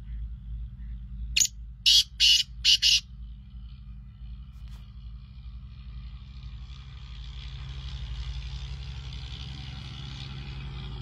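A francolin gives four loud, harsh, grating notes in quick succession, then falls silent over a steady low engine rumble and rising hiss.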